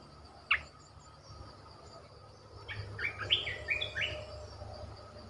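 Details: Caged decoy red-whiskered bulbul: one sharp note, a pause, then a quick bubbly phrase of slurred whistled notes, set against constant low hum and faint insect-like hiss.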